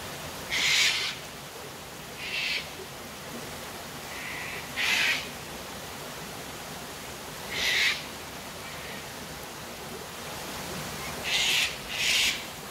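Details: Cockatoos at their daily sunset drink at Tanninaba Falls, Springbrook, 19 May 2024, give harsh, raspy screeches: six short bursts a few seconds apart, some in quick pairs, over rushing falling water.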